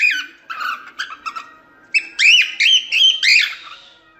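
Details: Cockatiel singing, meant for training cockatiels: a few soft, clipped chirps, then four loud, arching whistled notes in quick succession.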